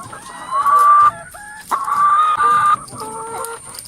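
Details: Hens crowded in a coop: two loud, drawn-out harmonic squawks, each about half a second to a second long, separated by quieter clucks, with a lower steady call at the end.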